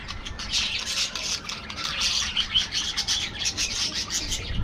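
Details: An aviary colony of budgerigars keeps up a steady stream of high, scratchy chirps and squawky twitters, many birds overlapping without pause.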